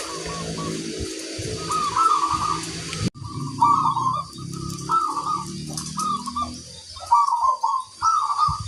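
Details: Zebra dove, known locally as perkutut, singing with a strong 'kung' voice: a series of trilled coo phrases repeated at short intervals, with low murmuring background sounds and a sharp cut in the recording partway.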